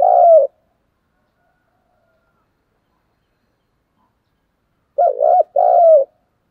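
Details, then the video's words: Spotted dove in a fighting call: a single low, hollow coo, a pause of several seconds, then a quick pair of throaty coos, clean with no other sounds. "cu gáy thúc đấu & cu gáy thúc gù"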